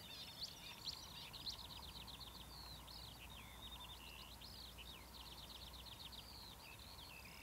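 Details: Marsh warbler at Academy Pools, Cleadon, recorded 6 June 2008, opening with a few sharp clicks then a rapid run of rising and falling whistled notes and trills, with steady low hum behind.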